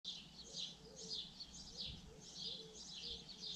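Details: Common linnet singing a fast, scratchy twitter of high chirps and trills, delivered in short bursts about twice a second, with faint low hooting tones and a steady low hum behind.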